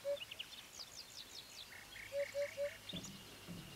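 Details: In Bulgaria during spring 2015, a Eurasian hoopoe gives one hollow note, then a run of three soft even hoots, while other birds chatter with quick descending high notes and buzzy phrases.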